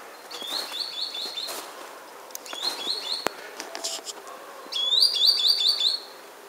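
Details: Spring song of a green sandpiper, 24 January 2015: three bursts of rapid rising whistled notes, the last loudest, with scattered clicks and rustling between phrases.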